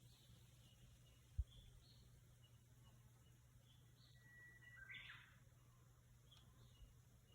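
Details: Japanese bush warbler singing in nature in rural Japan: a faint, steady whistled note held about a second, then a quick, higher, bursting flourish, over constant low rumbling hum with a sharp click early on.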